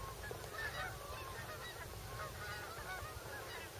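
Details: Migrating geese arriving at Bombay Hook National Wildlife Refuge on Delaware's eastern shore, USA; many overlapping honks and yelps from a large flock with a steady low rumble underneath.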